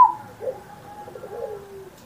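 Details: Zebra dove singing on Indonesia's 79th Independence Day, used as a master recording to prompt young or quiet pet zebra doves: a soft, low coo that starts with a short note, then a drawn-out tone and quick rolling notes, in a quiet room.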